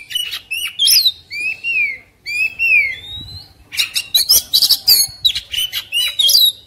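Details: Agitated, combative Oriental magpie-robin with its tail spread gives sharp chirps, then long slurred whistles that rise and fall, then a rapid run of scratchy, buzzy notes.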